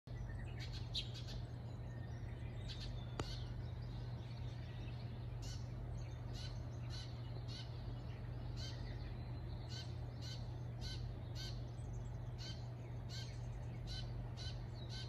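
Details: Eurasian tree sparrows in Shikokuchuo, Japan, recorded around 7:35 on a May 1 morning: short, sharp chirps from several birds, repeated every half second or so through the whole stretch, over a steady low hum and rumble.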